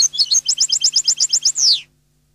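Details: Neapolitan-style song of a European goldfinch: a rapid string of about twelve repeated high, metallic notes, then a drawn-out falling slur closing the phrase, faint electrical hum in the background.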